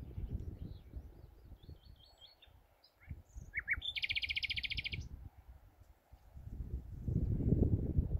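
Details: Common nightingale, heard but not seen, in the dunes at Bergen/Schoorl, Holland, on the evening of 24 April 2019 in spring. It sings a varied phrase of quick repeated chirps, sharp notes, then a loud rapid trill over a low wind or traffic rumble.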